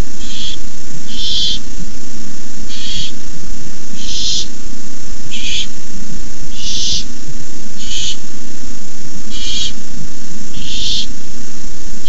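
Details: Barn owl nestlings at 9:57 pm on 18 May 2015 as a parent delivers a rabbit to the nest; a long run of about nine short breathy hisses at uneven intervals, with faint ticking clicks and steady hum.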